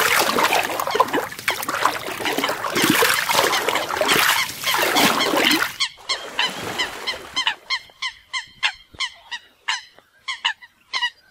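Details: On Floating Island Lake in northern Yellowstone National Park, coots fight over territory and mates: loud splashing and thrashing water first, then a quick series of short, honking, harmonic calls in uneven bursts.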